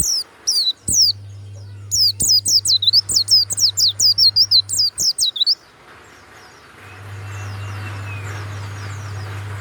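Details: Loud, clear-voiced caged warbling white-eye from Banyuwangi giving a fast burst of high, sharply down-slurred whistled notes, about a dozen in close sequence, then falling silent while a low steady hum and faint background noise continue.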